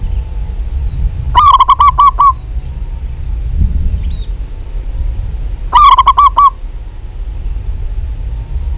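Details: Two rapid phrases from a local zebra dove in active voice, each a string of about seven clipped, throaty coo notes, separated by about four seconds of low rumble and faint distant chirps.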